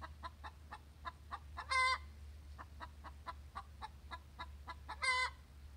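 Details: Domestic hen singing her egg song after laying an egg: a steady run of quick, clipped clucks broken twice by a loud, drawn-out nasal squawk, the pattern repeating about every three seconds.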